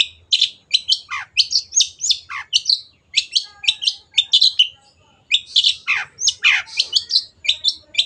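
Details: Long-tailed shrike in rich, continuous song for a tutor recording for caged birds: dense chattering phrases of high chirps, buzzy notes and falling slurs, with a short pause midway before the rapid chatter resumes.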